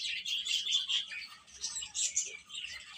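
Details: A group of baby chickens feeding and playing, bright high chirps running together in a steady twittering stream, louder at the start and near the two-second mark.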